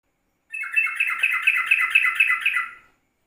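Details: Yellow-vented bulbul recorded in the morning at 04:30, used as a lure and as a tutor recording in the rapid 'ropelan' style: a fast, even run of short chattering notes, about two per second, for two seconds, with no other sounds.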